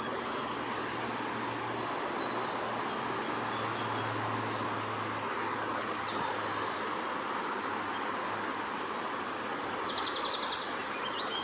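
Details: Spotted pardalote (Pardalotus punctatus ssp. punctatus) on the northern NSW coast, 9 September 2018, giving faint, high, thin whistled notes in brief bursts a few seconds apart over a steady hiss like distant surf or wind.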